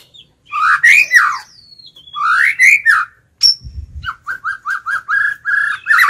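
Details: White-rumped shama used as a lure bird, singing a challenging forest-style song to draw wild males: two loud, swooping whistled phrases, a short thin note with a low thud, then a fast, regular series of short upslurred notes.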